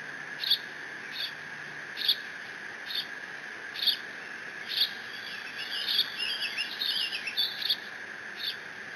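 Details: Decorah bald eagle eaglet, alone in the nest on 30 June 2017, squeeing as it mantles a fish from its father; regular short high squeaks, then a burst of wavering, twittering high calls near the end, over background hum.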